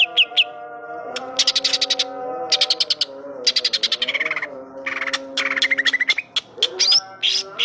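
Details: Greater green leafbird singing vigorously, its song filled with mimicked phrases of the kapas tembak bird: bursts of rapid, sharp, buzzy chirps in quick trains, with slurred notes between them, over a steady low tonal drone.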